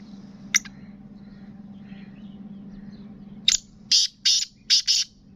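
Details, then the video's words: A kept black francolin (kala teetar) being readied for the 2022 season calls: one sharp harsh note, a three-second pause, then a quick burst of four or five loud, rasping, high notes. A low steady hum runs underneath. "kala Teetar ki Awaz"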